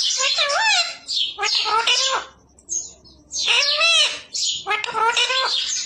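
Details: Talking parrot copying human words such as "mummy", four loud voice-like phrases with stacked wavering tones separated by brief pauses, harsh buzzy edges on each syllable, indoors among family members prompting it.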